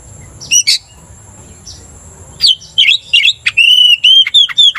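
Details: Oriental magpie-robin, caged and provoked into aggression by another magpie-robin's song, gives a few sharp chips, then a run of clear, steady whistled notes repeated rapidly.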